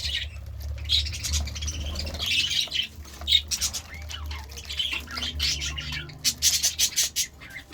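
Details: Morning budgie chatter: scattered squawks and chirps in uneven bursts, some sharp clicking notes near the end, over soft low hum.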